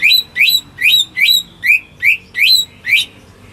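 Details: Home-kept greater green leafbird singing to lure stuck birds: eight clear whistled notes, each rising sharply then dropping, spaced about 0.4 seconds apart in a steady rhythm.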